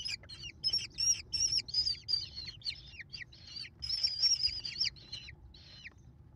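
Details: Mother American kestrel feeding five chicks, 28 May 2021; the young give loud piercing repeated squeals, each note dropping in pitch, in two bursts with a short quieter gap, fading near the end.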